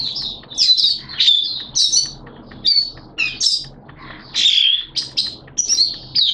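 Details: Oriental white-eye, a caged hobby bird, singing in wet, erratic weather; high, sweet chirping phrases in quick bursts separated by short pauses, with faint background hum.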